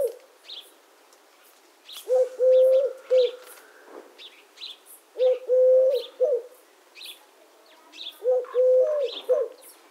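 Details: Eurasian collared dove (Streptopelia decaocto) giving a low, three-note cooing phrase, repeated about every three seconds, with faint high chirps from other birds behind.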